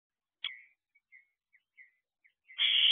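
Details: Wild barn owl owlet in a monitored nest box, recorded at 4:01 am on 6/7/23 while practicing balance on one leg; soft faint chirps, then a loud hissing screech rising at the end.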